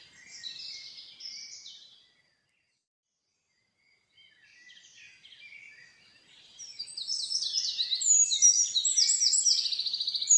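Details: Common nightingale song in a forest: a short high warble, a two-second pause, then soft chattering phrases that build into loud, rapid repeated notes and fast rattling trills near the end.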